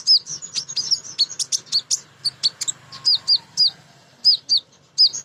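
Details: Female crimson sunbird calling males, a sound used to lure other birds into singing: sharp high chirps and short down-slurred notes, repeated steadily in quick bursts, with a faint low hum beneath.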